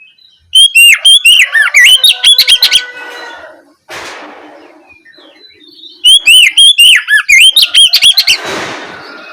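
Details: Afternoon ngeplong song of an Oriental magpie-robin used as a lure to stimulate answering song: two bursts of rapid loud whistles and chips separated by a quiet stretch with a rustling noise, hissing noise at the end.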